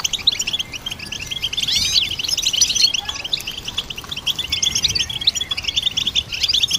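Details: Goldfinch song as an unbroken tangle of high twitters, chirps and rising slurred whistles, thick and chorus-like, sometimes softening before building again.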